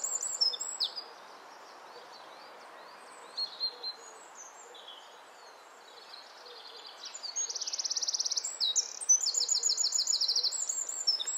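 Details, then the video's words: Wren singing, probably to its mate, in the nesting season (wrens start nesting in late April): a loud, high-pitched song of bright notes running into fast, rattling trills, with faint chirps from other birds behind. "Wren singing"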